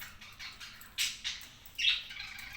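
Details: Cockatiel uttering three short, harsh squawky calls spaced under a second apart, the last the loudest, with faint chirps between.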